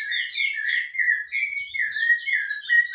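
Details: Rufous-bellied thrush song from Piedade: a close, continuous stream of sweet, gliding whistles that rise and fall in pitch, with a brief higher twitter at the start.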